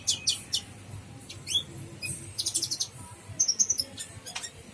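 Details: Gacor full isian song of a Brown-throated sunbird: sharp high chirps, a quick downward slur, a dense buzzy cluster in the middle and a rapid sparkling trill of tiny notes toward the end.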